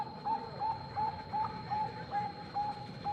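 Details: Steady series of short, soft, slightly rising coos, repeated about every 0.4 seconds, from a vigorous Bangkok-type zebra dove calling out a rival, over low background hum.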